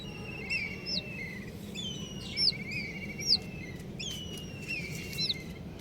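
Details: Brightly coloured baby chicks chirping: sharp downward-slurred peeps every second or so, louder ones standing out, with trilling and level whistled calls from other chicks underneath.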